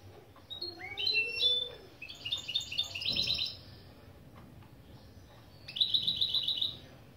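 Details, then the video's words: Goldfinch × canary mule singing intro phrases from a song lesson of opening motifs such as piçüvi piçüvi and cibili cibili. Rising whistled notes lead into a bright, rapid trilled burst, then a pause and a second fast trill. "Saka Melezi Ön Çıkışlar"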